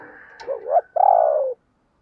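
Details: Decoy spotted dove meant to trigger cooing in other doves. A soft click, then a low two-part coo: a short quavering note followed by a longer, smooth, falling hoot.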